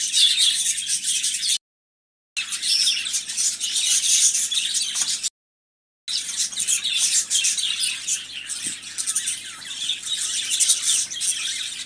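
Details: Budgerigars chattering in a group: dense, continuous high chirps and squeaky warbles, broken by two short silent gaps.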